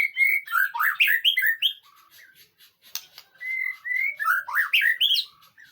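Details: White-rumped shama training song meant to make another bird answer: two lively bursts of rapid, sweeping whistled notes separated by a short gap of soft clicks, with a quieter steady whistle leading into the second burst.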